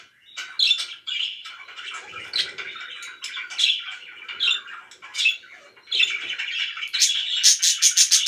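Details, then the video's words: Noisy pet budgies in lively chatter: uneven bursts of buzzy, grating chirps about once a second, finishing with a fast run of shrill, sharply repeated squeaks. "VERY LOUD BIRDS (4K WATCH HOUR)"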